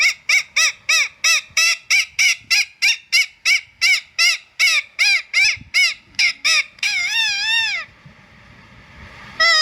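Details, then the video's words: Repeated harsh squawks from an Indian ringneck parakeet, about three per second in a steady run, then a longer drawn-out raspy screech and a brief final squawk. "Indian Ringneck Parrot Sound"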